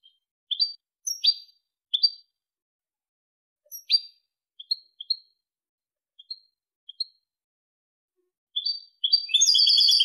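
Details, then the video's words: European goldfinch singing Malaga song, played to tutor chicks and hybrids; scattered sharp twittering chirps at irregular intervals, building into a dense continuous twittering burst at the end. "jilguero malaga لغة كوبيا ملقا تلقين وتسميع فراخ الحسون و الهجين"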